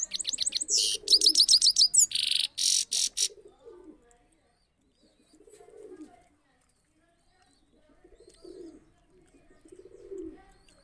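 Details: Trained saffron finch singing in a cage: a loud burst of rapid, high, buzzy trills and sharp notes for about three seconds, followed by quiet, low, murmuring coo-like sounds with long pauses between them.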